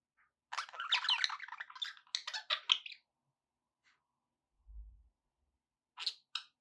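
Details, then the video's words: Budgerigar chirping meant to get a pet parrot eating and singing; a long run of fast scratchy warbling, then quiet, a soft low thump and two short chirps at the end. "budgie sounds to encourage your parrot to eat and sing"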